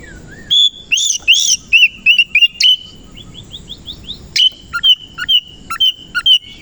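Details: Oriental magpie-robin in morning song: rapid varied whistled phrases, loud arched notes and a quick series of short rising whistles, then sharp clipped notes repeated about twice a second.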